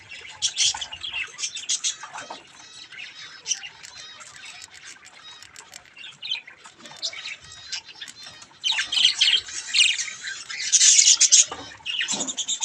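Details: Baby budgerigars playing with a mirror: steady scratchy warbling chatter, building into louder harsh squawking bursts over the last four seconds.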